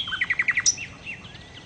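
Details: Nightingale song: five rapid, evenly spaced clipped notes followed by one very high sharp note, then quieter trailing whistles.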